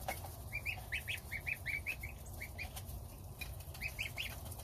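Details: Domestic goslings eat starter ration alongside the mother goose, and the father keeps watch outside. Rapid series of high, rising peeps in quick succession, then a short pause and another cluster, with a low rumble beneath.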